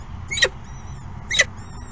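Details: Two harsh, grating Peregrine falcon calls, about one second apart, at the nest during late morning feeding. Faint thin high whistles and a steady low background rumble.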